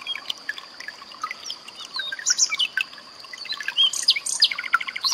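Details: Common nightingale song blended with a trickling-water background, meant as a tutor recording for pet songbirds. Scattered thin notes build into louder sharp whistles and a quick stuttering run near the end.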